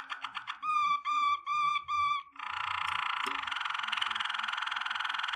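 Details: Waterslager canary singing a training song: quick clicks, then three held, deep, flute-like tones, then a long dense bubbling water-like roll.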